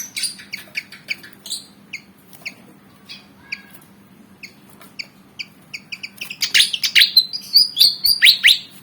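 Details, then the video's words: Javan fantail, black and white, about 19 cm long, eager to fight, repeats thin sharp chirps at an uneven pace, then launches into a loud, fast series of squealing, slurred notes. "Burung Kipasan Jawa Ngotot Liat Pengen Tarung"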